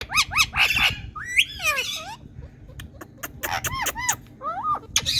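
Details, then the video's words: Indian talking parrot, a pet bird, giving a run of harmonic squawks and rising-falling whistled notes, some clustered in quick bursts, over a low steady hum. "Indian Talking Parrots"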